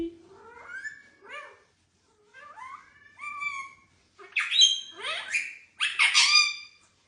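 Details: A pet blue ring-necked parakeet repeatedly says "what you doing" in short, speech-like phrases with rising, voice-like tones, then bursts into two loud, harsh, grating screeches.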